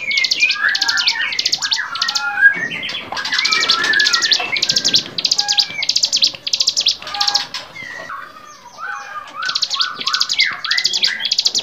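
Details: Bar-winged prinia in lively varied song for songbird training: steady rapid buzzy chatter bursts over a mix of short whistled slurs and twitters, easing slightly before picking up again.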